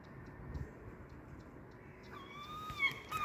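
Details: Gulls at about 5 a.m. on an almost deserted road in Bristol, England: a long, nasal, slightly rising cry lasting about a second, then another begins, over a steady rumble of road traffic.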